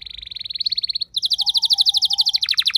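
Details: Canary kept at home answering another singer with a rolling song: a steady fast trill, then a louder, quicker run of repeated clipped notes in a continuous roll.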